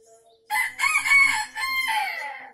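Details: An Aceh junglefowl crows once, strongly, a rough, ringing call of about two seconds that rises then trails off in a drawn-out tail. The recording is used as a lure for wild birds.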